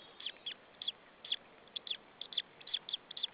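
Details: White-tailed eagle chick begging on a nest in Saunja, Estonia, in late April, chirping before an adult feeds it, an adult perched on a branch nearby; thin high peeping notes in short bursts, roughly three per second, over a steady low hiss.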